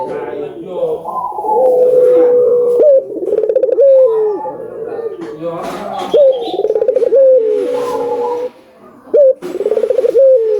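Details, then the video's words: Collared dove song, albino bird calling persistently, meant to stimulate other doves to call. Repeated coo phrases with trembling rolled parts and flat held notes, overlapping somewhat, with brief noises in between. "Suara Burung Puter Gacor ,merangsang burung puter agar bunyi | burung puter albino gacor"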